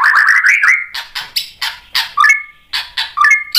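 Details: White-rumped shama singing to provoke other shamas into song: rapid rising series of chirps sliding upward, then loud buzzy bursts alternating with clear whistled notes held near one pitch, phrases repeated about twice a second.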